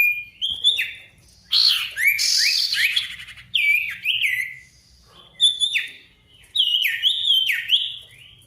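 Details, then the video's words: A vigorously singing sirtu, played as a lure so that quiet birds answer a rival. Repeated phrases of sharp swooping whistles and high ticks alternate with a burst of loud buzzy chatter, in pulses about every two seconds. "PANCINGAN SIRTU GACOR MANGGIL LAWAN COCOK UNTUK SIRTU DIAM AGAR CEPAT BUNYI DAN GACOR"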